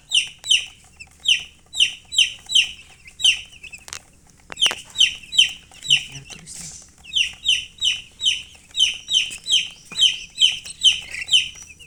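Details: Baby chicks give long runs of high, sharply falling peeps, roughly three per second, with a short break in the middle and faint clucks below.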